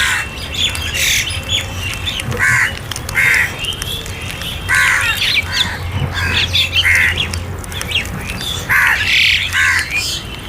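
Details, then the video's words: Crows calling while being fed, a series of harsh, hoarse caws in short bursts roughly every second or two, with a low steady hum underneath. "Crow Sounds For Food"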